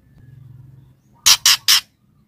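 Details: Female white-rumped shama calling the male: three loud, harsh, rasping bursts in quick succession, each about a tenth of a second, after a quiet low hum.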